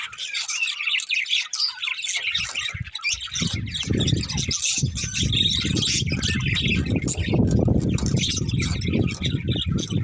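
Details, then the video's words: High, scratchy budgie chatter continues throughout. From the middle onward, a loud low rumble of wind or handling noise sits beneath the chirping. "Cute Budgies Chirping Sounds"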